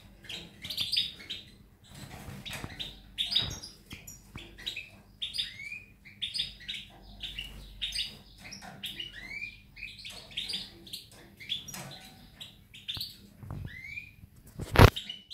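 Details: European goldfinch singing, recorded 19 May 2018: a fast, unbroken twitter of short, bright, sliding notes and chirps with brief pauses. A low background rumble runs underneath, and a sharp click sounds near the end.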